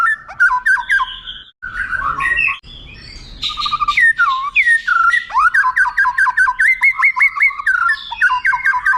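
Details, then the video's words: White-rumped shama tutor song with long prominent phrases, meant for contest birds to copy quickly: rich varied whistles, rapid rolling trills and repeated bright notes, brief harsh buzzy passage near the middle. "MASTERAN "MURAI BATU" dg TONJOLAN PANJANG agar cepat ditiru burung KONTES"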